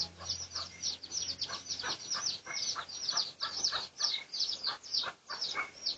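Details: Research recording from 18 August 2023 of red junglefowl, Pradu colour: a dense series of shrill, falling peeps, some doubled, continuing steadily over a faint low hum.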